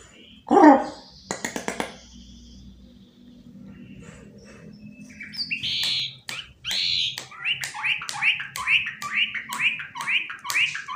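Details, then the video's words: Pet white-rumped shama roaming a sofa rather than staying caged, giving a string of bright, evenly spaced whistled notes after a few thuds and scraping noises, with a low background hum. "Murai Nge-play diSofa, Ogah gantang"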